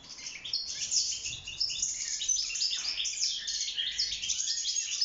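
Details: Wild goldfinch in a cage singing for mating and nest building; high, sparkling twittering and fast trills delivered continuously, with a few clearer whistled notes mixed in.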